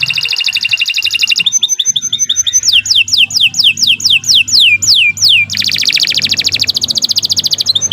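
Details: Canary in continuous training song, opening with a dense buzzy trill, then chattering notes, a run of eight loud descending whistles and a long rapid rattle, over a faint low background hum.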